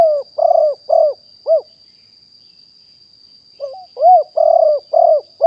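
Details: Live 2021 recording of a wild spotted dove used as a decoy caller for wild birds. Coos run back to back, then a pause of about two seconds, then a fresh phrase with a wavering intro note and four burry coos. A constant electronic whine sits above.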